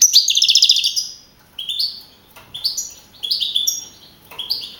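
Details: First-place young male European goldfinch from a 2012 singing contest at Navalcarnero, Madrid. An opening fast metallic trill gives way to short, evenly spaced double-noted twitters.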